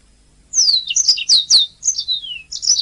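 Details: Singing canary on a master track for training songbirds, giving sharp downward-sweeping whistles, quick chirps and a long descending slur, all bright and high.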